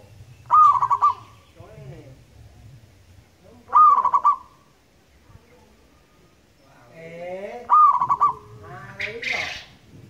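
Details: Zebra dove, local bird from Indonesia with a loud long voice, repeats a stuttering cooed phrase three times at roughly four-second intervals, mixed with other descending, nasal calls and a burst of noise near the end.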